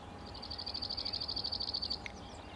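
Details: Cirl bunting: a flat, dry rattling trill of about twenty fast identical notes on one pitch, lasting nearly two seconds, over a steady background hum and low noise.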